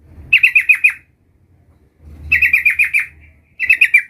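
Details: Sooty-headed bulbul practising the 'ngerol' rolling song: three short bursts, each of five or six quick bright notes rolled together, separated by brief pauses with faint low noise.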